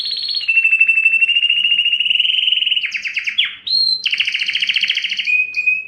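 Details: Canary singing a long rolling trill that holds steady, then shifts into fast chopped phrases, a brief rising whistle and renewed rapid trills, ending on a short steady roll.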